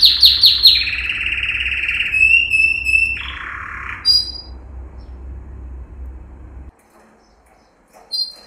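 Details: Yellow canary male, Serinus canaria, in training song: quick high repeated notes slide into a smooth whistled trill, a lower harsh buzz, then fading sound, silence and a final short chirp burst.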